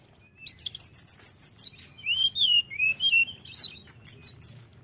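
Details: Sunda robin (tledekan gunung) singing continuously for luring birds: a fast trill of high repeated notes, then long lower whistled slurs and scattered sharp chirps.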